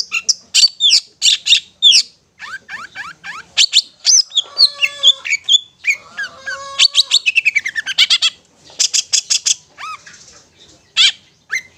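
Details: Ngetet song of a long-tailed shrike played to lure stressed or silent shrikes into singing: long run of rapid sharp chips, whistled sweeps and rattling bursts, with a fast trill-like stretch near the middle.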